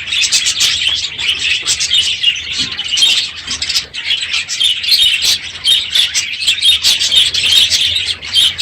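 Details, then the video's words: Many budgerigars in a crowded aviary on a morning at the end of the breeding season chatter unusually loudly at once: a constant, busy stream of high, scratchy chirps and warbles, with no pause and no other sounds. "My Budgies Today - NOISY birds this morning!"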